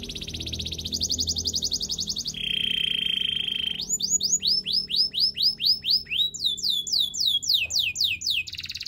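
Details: Canary song for training, opening with a fast buzzy trill and a low sustained whistle, followed by long series of rising, looping whistled notes repeated several times a second.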